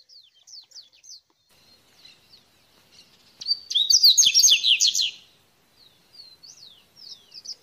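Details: A wild Double-collared Seedeater sings in nature: high, slurred whistles, then a loud, fast burst of buzzy twittering notes before going back to scattered whistles.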